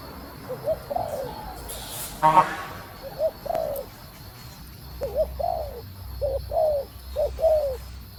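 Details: Female spotted dove cooing to stimulate a male: low, gentle coo phrases of two or three notes with a bent, drawn-out final note, repeated at intervals, with a brief rough noise burst near the start and constant background hiss.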